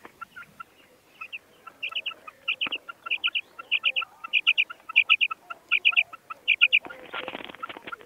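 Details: Female common quail (madi batair) calling: clear high chirping notes in tight groups of two or three, repeated roughly every 0.7 seconds and growing louder, ending in a short burst of rustling noise.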